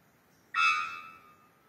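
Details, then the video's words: Three-wattled bellbird (Procnias tricarunculatus) in Costa Rica, possibly Monteverde, giving a single loud, abrupt, ringing note that starts explosively and fades in under a second; otherwise quiet. "Three-wattled bellbird"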